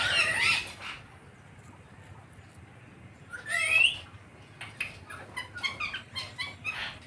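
A parrot gives harsh, raspy squawks: a loud screech, a rising shriek a few seconds later, then a run of quicker chattering notes over a faint low hum.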